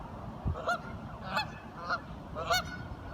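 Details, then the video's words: Curious ducks calling: four short nasal honks spaced about half a second apart, each with bright harmonics, over a low rumbling background. "Duck Sounds - Curious ducks talking"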